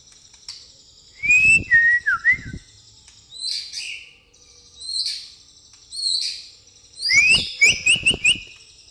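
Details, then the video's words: White-rumped shama, pastol song with fighting house sparrow fill; rising whistles break into staccato clicks and chips, alternating with high chirping bursts roughly every second. "murai pastol isian gereja tarung"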